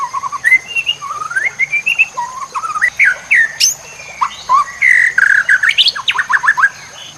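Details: White-rumped shama masteran song for training songbirds, full-fill version: varied whistled phrases, some rising, some falling, with quick slurred notes and a few buzzy bursts. A steady high electronic tone runs throughout.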